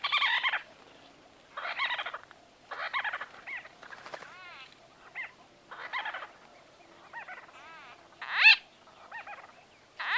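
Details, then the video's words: Close-up conversation of White-fronted bee-eaters, harsh burry calls in short bursts every second or so, mixed with thinner rising and falling squeaky notes, one loud sharp call near the end. "White-Fronted Bee-Eater. NB: Exact Date Of Recording Not Known. MCU-CU Conversa"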